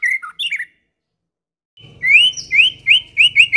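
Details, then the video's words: White-rumped shama song meant to provoke other birds: a few short warbled whistles, a pause, then a run of rising whistled notes repeated about three times a second. "Pancingan Kicau Murai Batu TERBAIK, masteran murai batu medan"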